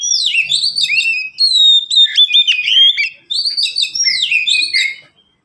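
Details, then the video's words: Caged Oriental magpie-robins, three birds in answering song, used as a teaching recording for birds slow to sing: loud, fast sequences of sweet whistles and downward slurs in three long bursts split by short gaps. "Kicau mania sederhana cocok untuk masteran burung Kacer yang malas bunyi"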